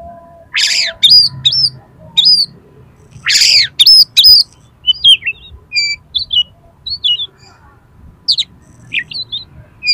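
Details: Agitated fighting oriental magpie-robin used to provoke rivals into opening their tails: two loud harsh rasping bursts followed by clear upslurred whistles and short varied twittering notes, spaced irregularly.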